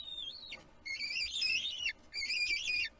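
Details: Bald eagle chick throwing a tantrum in its Kisatchie National Forest nest on 6 April 2022 while the adult eats the fish; three loud, rich whistled squeals, each wavering and then dropping sharply at the end.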